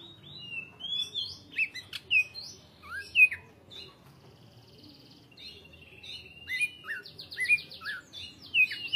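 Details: Varied song of a greater green leafbird, delivered continuously with brief gaps: loud slurred whistles, chips and short buzzy bursts, a quiet lull, then a rapid rattling trill and more sharp downslurred whistles.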